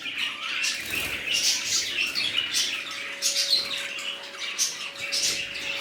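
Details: A new colony of budgerigars, kept with other parrots, chattering together: a constant dense mix of warbling, squeaky chirps and twitters from many birds at once, over a steady low mechanical hum.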